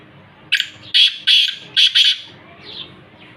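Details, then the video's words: Black francolin (kala teeter) calling near Khushab: a short run of five harsh, grating notes in quick succession, loud and rasping, followed by faint fainter bird chatter. "kala teeter ki awaz"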